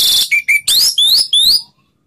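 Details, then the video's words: Orange-headed thrush in slow ngeplong singing, used to coax quiet birds into song: five quick, loud whistled notes, several sweeping upward, ending abruptly. "Suara Anis Merah Ngeplong Slow"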